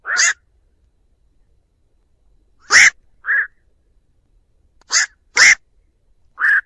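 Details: Black-crowned night heron calling its flock, a clean lure recording for trapping with no background noise: six harsh, rasping croaks, some loud and broad, others shorter and more nasal, come in irregular clusters against silence.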